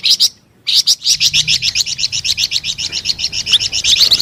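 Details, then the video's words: After a brief silence, the flamboyan bird delivers a fast, even series of high, buzzy notes repeated about eight times a second, delivered energetically. "SUARA MERDU DAN GACOR BURUNG FLAMBOYAN"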